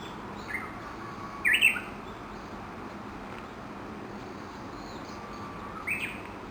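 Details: A Japanese bush warbler from a large feeding flock under a chinaberry tree near Gakushima Bridge, Tokushima, early morning. A loud warbled twisting phrase, then a softer short note near the end, against constant low hiss.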